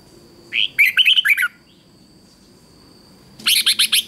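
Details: Red-whiskered bulbul competition song for training: a single bright phrase of warbled whistles and fast chirps, a long quiet pause, then a burst of rapid evenly spaced sharp notes.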